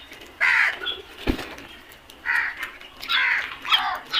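Several crows give harsh, hoarse caws in quick succession, overlapping at times, with a sharp knock partway through.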